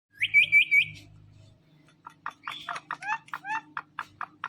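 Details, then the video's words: Indian ringneck parakeet kept as a talking pet. Three quick rising whistled notes open, then a pause, then a run of short, harsh, chattering calls at an uneven pace. "Amazingly Talking & Dancing Green Parrots"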